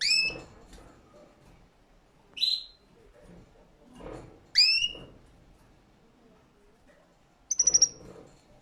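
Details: Canary singing: four separate loud whistled notes spaced a second or two apart, several sweeping sharply upward and one a short buzzy rattle, with soft low thumps and a quiet background between them.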